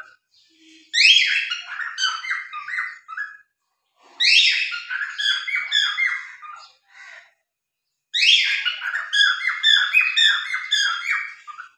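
A cockatiel sings three bursts of bright, warbling whistles, each opening with a sharp rising note.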